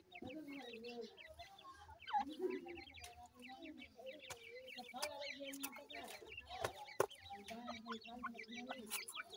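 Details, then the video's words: Teetar chicks give a steady stream of thin, high chirps, many birds overlapping, with low clucking phrases beneath and scattered sharp knocks and clicks. "teetar bachy ki awaaz,Teetar Chicks Sounds, baby titar sound"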